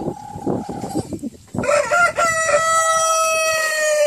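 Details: Brahma rooster, ten months old, crowing loudly: a few rough clucking notes, then a long, strained, sustained crow held steady for over two seconds.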